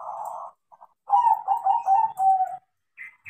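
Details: Zebra dove, a crossing-bred bird, singing lively after being trained: a rolling series of soft coos and trills around the same mid pitch, about one and a half seconds long, with brief higher chirps after.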